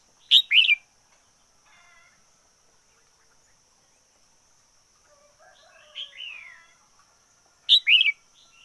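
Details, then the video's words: ['Decoy red-whiskered bulbul in full, fiery song: an opening burst of sharp warbled notes, a softer slurred phrase in mid-clip, then another loud chattering burst near the end, with long quiet gaps between.'] "Chim chào mào mồi hót căng lửa nhất 2021. Noog diab qhuaj zoo heev 2021"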